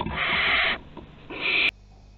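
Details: Juvenile barn owls now flying, Théding, France, 21 September 2020; two loud, harsh hissing screeches, the second ending abruptly, with a quiet gap between them.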